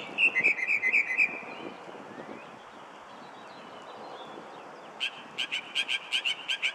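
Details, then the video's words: Mockingbird singing in a city parking lot in Arlington, Virginia, on an early June evening: a burst of trilled notes, a quiet pause under urban hum, then a quick series of sharp repeated chips. "Mockingbird, June 2019"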